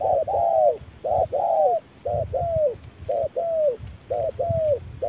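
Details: Spotted dove answering a decoy bird at harsh midday, repeating short-then-longer hooting coos in steady pairs, each longer note gently dropping at its end, with faint low rumbling beneath.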